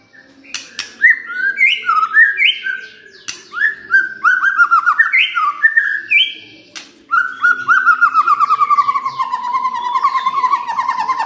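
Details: White-rumped shama (murai batu) lure song meant to provoke birds into singing everything they know. It delivers repeated stepped whistled phrases, then a long rapid trill that slowly falls in pitch, with sharp clicks between phrases.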